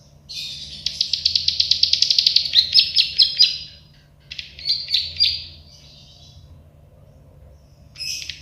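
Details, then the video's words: Plain prinia, called prenjak sawah or klik-klik, as a tutor track: a quick accelerating train of buzzy ticks turning into slower, louder clipped notes, then a pause and a short closing burst. "Masteran burung prenjak sawah klik-klik"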